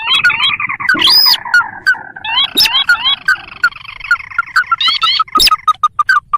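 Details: Sintar, a marsh and paddy bird, in a trapping lure recording: a buzzy rattle, then rising notes and an accelerating series of short clipped calls with occasional loud clicks.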